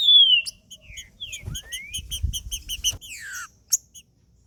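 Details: Male trinca-ferro (green-winged saltator) song for warming up a male: a strong falling whistle, a rising slur, then a steady run of bright repeated notes ending in a descending buzzy sweep, with faint low thumps.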